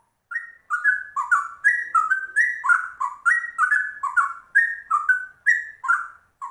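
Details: Rare trucuk bulbul singing a cucak rowo-style rolling 'ropel' song: loud, rich, liquid warbled notes bouncing between two pitches, phrases bursting roughly twice a second for over six seconds, clean with no other sounds.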